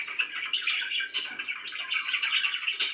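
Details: Pet budgerigar chattering in a small room: a continuous scratchy warble of buzzy, rasping notes with short bright squeaks rising above it, the sound running on without breaks.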